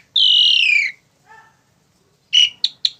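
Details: Tame Asian pied starling giving a loud whistled note that slides downward for nearly a second, then a faint low chirp and three short sharp chirps after a pause.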